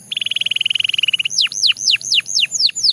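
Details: Belgian canary song opening with a fast, even trill of about thirty notes in just over a second, followed by seven slurred, arching whistles roughly every quarter second.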